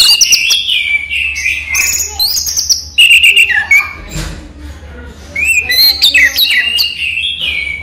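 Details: Orange-headed thrush kept as a cage bird sings during the day: long run of rich whistled and warbled phrases with quick slurs and sharp chirps, a brief low thump midway.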